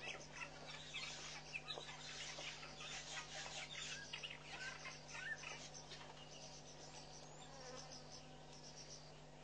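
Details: Southern masked weavers building and lining a nest at Pete's Pond, Mashatu Game Reserve, Botswana, in February 2012. Busy, dense high chattering and rapid chips crowd the first half, then thin out against a low hum.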